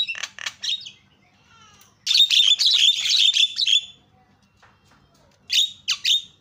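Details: Calls of a Javan myna played to provoke other mynas into calling, with a few harsh notes, a pause, a dense grating chatter lasting about two seconds, then three more sharp squawks.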